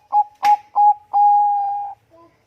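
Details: Song of a Bangkok perkutut, the zebra dove, played to draw other birds into singing. Three quick staccato coos run into a long, smooth, unwavering whistled note, then a quiet closing sound.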